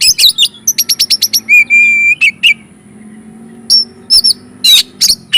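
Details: Oriental magpie-robin song used to provoke and excite other magpie-robins: loud, varied bursts of sharp high chirps, rapid ticking trills and a sustained clear whistle, with brief quiet gaps and a low steady hum beneath.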